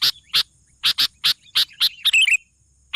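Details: Sooty-headed bulbul in energetic song: a short run of about eight crisp chirps, then a quick twittering flourish, ending on one more chirp.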